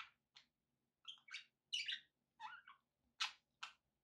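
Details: Pet budgerigars heard in a recording made with background noise for relaxation: a run of short, harsh, scratchy chirps and squawks in quick bursts separated by brief pauses, some rising and falling, with no other clear sounds.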